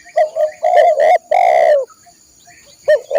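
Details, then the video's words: Spotted dove song used for training caged birds. A burst of quick coos leads into one long, full coo, then a pause and a renewed coo at the close. "masteran burung tekukur/derkuku"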